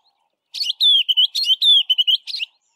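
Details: West of Grahamstown, a white-browed scrub robin delivers one repeated phrase: buzzy chirps alternating with sweet, slurred whistles in a quick run of about two seconds, in otherwise quiet surroundings.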